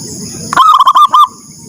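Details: Zebra dove giving its morning call, which prompts others to call: a loud, quick string of about five clipped cooing notes, with soft low murmuring and a high hum around it.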